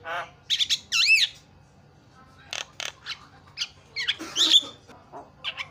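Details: Jalak starling song meant to trigger silent birds to start singing: a few rasps and a looping wavering whistle, a quiet gap, then scattered harsh notes and a burst of squeaky chatter.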